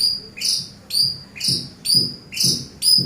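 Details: Eurasian tree sparrow song used as a master recording for training birds: loud, high, clipped chirps repeated steadily about twice a second, each with a brief lower lead-in note.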